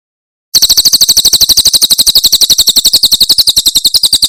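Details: Javan prinia of the Cililin tembakan type, a very clear recording meant for tutoring cage songbirds: after brief silence, a fast unbroken trill of high, sharp, buzzy notes in rapid even succession.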